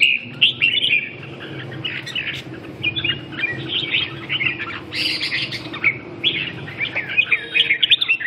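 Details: Red-whiskered bulbul with a busy stream of whistled and chattering notes, loud and varied, running almost continuously.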